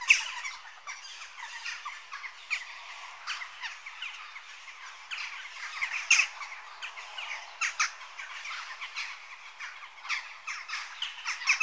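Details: Western jackdaws in continuous chatter, a long stream of short, harsh ticking and squawking calls, with louder single notes standing out now and then.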